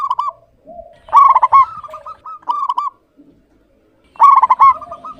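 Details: Clear-voiced local-type zebra dove in busy song, delivering loud rattling coo phrases followed by quick soft trailing notes, three bursts in five seconds separated by near silence.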